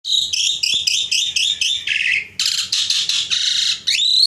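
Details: Javan pied starling kept as a pet, singing vigorously: a rapid string of short, harsh, buzzy chattering notes, then a lower slurred whistle and bursts of grating, rasping phrases ending in a rising squeal.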